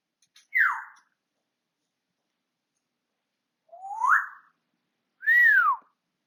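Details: Pet African grey parrot whistling, 20 August 2022: a fast downward-sweeping whistle, then after a long gap an upward-sweeping one, and finally a clear arched note rising then falling.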